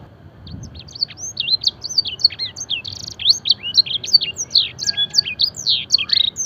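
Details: Luxurious canary master song mimicking blackthroat and edel sanger: bright, fast, varied whistled notes and short buzzy phrases, growing louder and denser over about six seconds.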